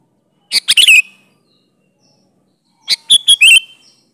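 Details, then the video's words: A sooty-headed bulbul song meant to make bulbuls respond: two rapid phrases of several clipped notes with bubbling whistled endings, about two seconds apart, clean background. "Variasi Suara burung Kutilang Gacor Full isian Alam di Jamin cocok buat pancingan kutilang"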